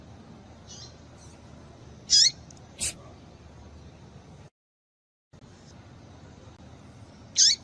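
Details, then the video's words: Short high chip calls of a female papa-capim (Double-collared Seedeater), used to stir males to sing. Brief squeaky notes come irregularly, with a faint softer note early and a short silent gap midway. "Piado de Fêmea de Papa capim Para Esquentar Papa capim"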